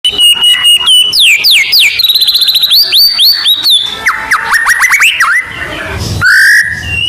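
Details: Caged white-rumped shama from Medan, used as a lure to prompt other birds, pouring out a loud varied song of rapid repeated whistled notes, swooping slurs and fast trills, with a harsh rasp near the end.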